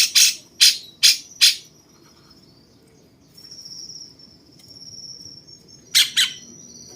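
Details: Four quick harsh squawks from a cucak cungkok bulbul used to train other songbirds, then a quiet stretch with a thin steady high whine, ending with two more grating notes.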